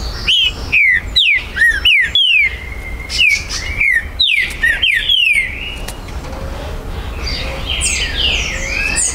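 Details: Territorial green-winged saltator song, recorded 19 September 2020 at an amateur breeder's site: quick run of rich whistled notes that swoop down and up, ending after five seconds, followed by faint twittering of other birds.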